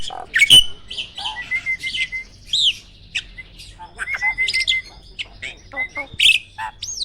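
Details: Award-winning caged starling giving sharp shot-like bursts between sustained flat whistles and upward-sweeping whistled notes, with scattered chatter and gaps of near silence.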